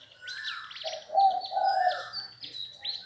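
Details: Caged red-whiskered bulbul, kept a year and a half in a cage, young bird still in training, described as having a medium voice; bright whistled, warbling phrases with quick fluttering notes above a steadier lower tone.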